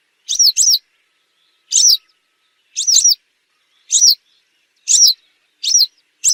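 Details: Piercing high call notes of western yellow wagtail, kept as a hunting lure: each is a quick downward slur, sometimes doubled, repeated about once a second against silence.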